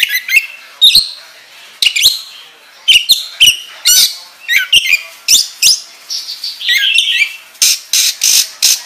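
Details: Oriental magpie-robin lure song for training other birds: sharp clicking notes and short whistles spaced about every half second, followed by a warbled phrase and a run of loud rasping bursts.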